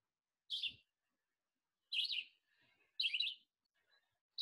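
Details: Red-eyed Vireo song during spring migration: short, slurred, whistled phrases, each under half a second, given in a quick run about one per second with faint softer notes between; noticeably faster than a Blue-headed Vireo's song.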